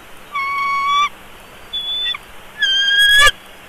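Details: Bald eagle chick, hatched 3 March, at a nest in Big Bear Valley on 17 March 2022 while being fed: three drawn-out, steady, slightly nasal piping notes, each under a second long, over a constant background hiss.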